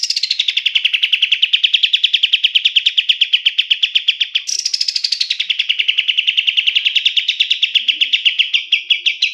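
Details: Black-capped bulbul, locally kapas tembak, offered as a master song for training songbirds: two long chattering trills of rapid identical notes, each beginning higher and sliding down into an even, steady pulse, clean with no other sounds.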